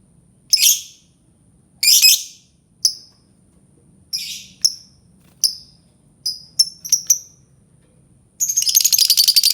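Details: Albino lovebird calling with harsh squawks and short sharp chirps at uneven intervals, ending in a rapid buzzy chattering trill.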